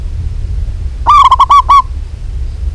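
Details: Local zebra dove female calling a male gives one loud run of five or six rapid, rolling coos lasting under a second, with a quiet low hum before and after.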